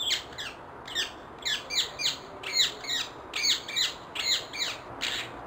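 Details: Harsh, screeching squawks of wild rose-ringed parakeets repeated in quick irregular bursts, several overlapping calls suggesting more than one bird, against a steady low background hiss.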